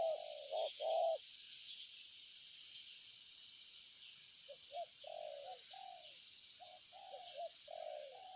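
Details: Repeated low hollow coos from a spotted dove, paired short and longer rolling notes, about two per second in bursts, with a constant high insect-like hiss behind.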